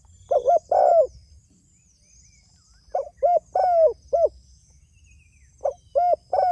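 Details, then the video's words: A spotted dove calls to others with a broken phrase of soft coos: a pair, a pause, then a run of four short and drawn-out falling notes, then another run; faint high buzzing and chirps in the background. "Suara Burung Tekukur Gacor Memanggil Temanya"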